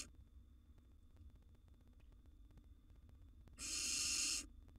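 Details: Young wild barn owls in a nest box, siblings competing for food: quiet scuffling, then a single harsh, breathy hissing screech lasting about one second.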